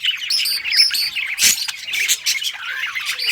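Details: Parakeets singing in a happy mood, rapid twittering and chirruping with short whistled notes and a loud burst of scratchy squawk midway.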